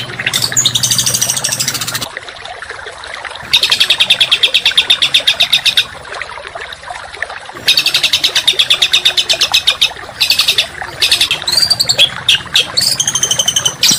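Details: Masteran song for contest songbirds, rough and dense. High rattling trills come in three long bursts separated by short pauses, with thin whistled slurs and sharp chips near the start and end.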